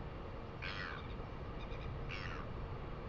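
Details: A Northern Royal Albatross chick on its nest at Pukekura/Taiaroa Head, New Zealand, on 4 February 2020, perks up for a meal from its mother: two harsh, wheezy begging squawks about 1.5 seconds apart, with fainter chatter between, over steady wind roar.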